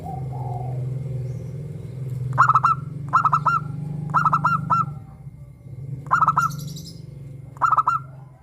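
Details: Local zebra dove with a crystal voice, a lure to make captive doves sing; five bursts of rapid stuttering coos, each a tight cluster of ringing pulses, over a steady low hum and brief faint chirping.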